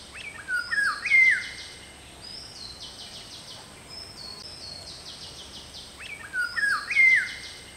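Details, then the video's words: Indian golden oriole calling: two fluted, slurred whistled phrases, each a quick run of notes rising and falling, about five seconds apart, with thinner high chirps from other birds and a steady high hiss in the background. "Indian Golden Oriole / Video & call"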